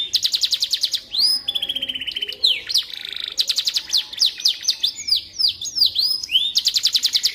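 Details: Canary used as a song tutor for magpie-robins: opens and ends with rapid pulsed trills, between them a level buzzy note and looping whistled sweeps, delivered without pause.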